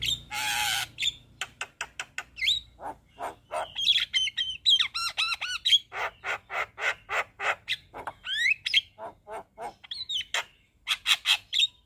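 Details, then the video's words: Singing Javan myna opening with a harsh rasping squawk, then a long run of quick clicks, stacked ringing whistles and rhythmic chattering notes, almost continuous. "Burung Jalak Kebo Gacor Full Isian"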